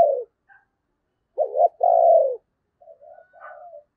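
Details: Decoy spotted dove calling to entice wild doves at Tet: one full phrase of a wavering note and a longer descending coo, then softer broken cooing notes.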